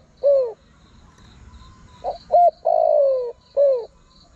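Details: Cooing of a spotted dove played to attract wild birds: a falling coo, then a pause, then two short notes, a lengthy descending croon and another falling coo, low and mellow, faint high insect-like buzzing behind.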